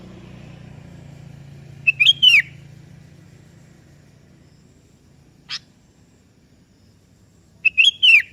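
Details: Sooty-headed bulbul, local kutilang kebo, singing to call a rival that answers: two whistled phrases about six seconds apart, each rising then falling, with a short chip between them and a low vehicle-like rumble early on.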